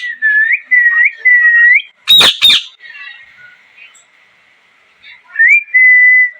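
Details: Parrot calling with a run of short rising whistled notes, a pair of loud harsh squawks, a faint drawn-out tone, then more rising whistles that end in a long level note.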